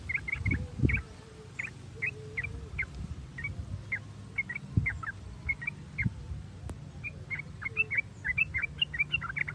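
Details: Sooty-headed bulbul song used as a lure to stimulate other bulbuls to sing: a steady string of short, bubbly, chirping notes, often in quick pairs and triplets, over a low rumbling background with a faint steady hum.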